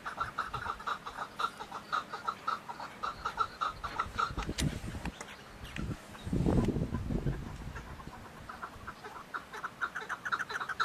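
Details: Chukar partridge uttering runs of short clucking notes, broken midway by a loud low rumbling burst of noise, then resuming its rapid chuk series.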